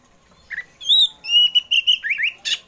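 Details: Oriental magpie-robin (kacer poci) afternoon song meant to coax pet birds to sing: a short note, then a sustained clear whistle sliding into a string of fluttering, rippling phrases and a final buzzy rasp.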